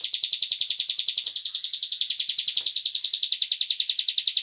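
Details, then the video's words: Cigun bird call used to lure other birds into song, a quick regular series of sharp, high-pitched chirps running continuously, with faint soft clicks in the background. "Pancingan burung cigun agar ikut bunyi"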